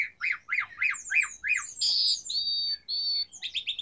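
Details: Asian pied starling in lively varied song: five quick rising-falling chattering notes, then a loud buzzy squawk followed by two long, steady, high whistles, ending in short scratchy bursts.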